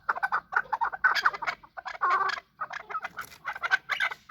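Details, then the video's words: Chukar partridges fighting: bursts of grating clucks in short clusters separated by brief pauses, harsh and mid-pitched, with a few sharper higher notes. "Chakor fighting and making voices / chakor ki awaz / chakor calling / chakor voice"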